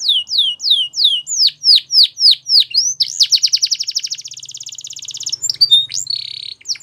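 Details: Canary song opening with slow repeated down-slurred whistles about four per second, speeding into a fast rolling trill, then a buzzy low note and short chirps.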